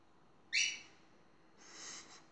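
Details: Domestic talking parrot giving one sharp, bright, rasping note followed by a softer, drawn-out, breathy high sound, indoors with low background hiss.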